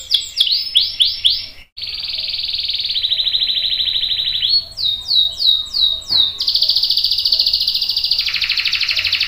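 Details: Canary singing long rolls for training juvenile and adult birds: slurred opening notes, a short gap, long buzzy rolls at two pitches, a burst of quick downslurs, then a high sustained roll.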